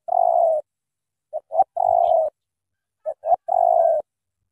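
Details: Spotted dove from Cà Mau, Vietnam, giving a strong thổ tơ style coo: a long low hooting coo, then two short notes leading into another drawn-out coo, spaced about a second apart, with a quiet background.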